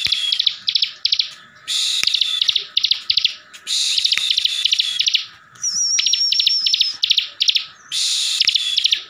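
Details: Bar-winged Prinia, a kept bird from Slawi in Tegal, Central Java, singing in gacor ngebren fashion to goad others into answering: buzzy bursts each followed by runs of sharp chips, repeated regularly, with a high wavering whistle later on.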